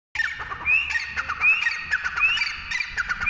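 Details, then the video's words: Teetar, the partridge, calling: loud harsh squawking notes around a steady ringing tone, with rising whistled slurs repeated roughly every second, over faint low background noise. "teetar ki awaaz | teter | teetar | Teetar Ki boli | teetar panchi | Teetar voice | partridge bird"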